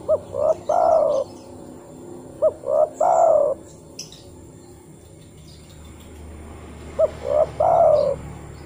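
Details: Spotted dove calling to other doves, played to coax them into answering: three repeated phrases, each a quick clipped note, a short coo and a long wavering falling coo, separated by pauses of a few seconds, with a faint click.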